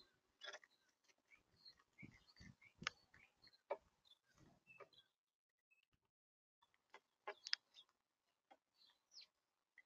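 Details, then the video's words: Wild Monk Parakeets, or Quaker parrots, in Florida on a hot day: scattered short harsh chattering squawks and chirps, clustered in the first five seconds, then sparser notes after a pause. "Wild Quaker Parrots (and Dove) on a Hot Day"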